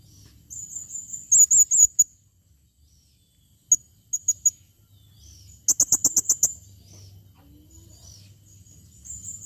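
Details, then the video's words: Female blue-crowned hanging parrot calling in 2021, giving a quick run of piercing, quivering high notes, scattered sharp ticks, then a fast rattling series of clipped high chips, with soft low background noise. "serindit betina memanggil"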